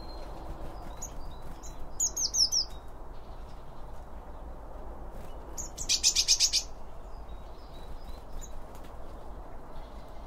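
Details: Wild birds feeding at a feeder, recorded binaurally with two microphones placed either side of the feed: short, bright high chirps come in brief bursts, with a louder dense chirping flurry in the middle and a soft background hiss.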